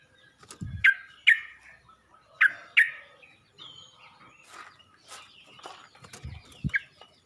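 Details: Calling out to other bulbuls, a Yellow-vented bulbul gives four sharp chirps in two pairs early on, then softer scattered notes and a last brief chirp amid low thumps.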